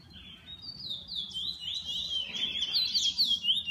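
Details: Song of a bullfinch kept by its owner: a steady, high warbling stream of slurred whistles that grows louder and more twisting toward the end, with a quiet low rumble beneath.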